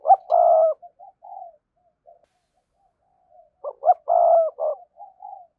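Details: Spotted dove used as a lure for wild doves, calling two strong phrases about four seconds apart, each a long hoarse coo with short clipped notes around it, trailing into faint soft coos.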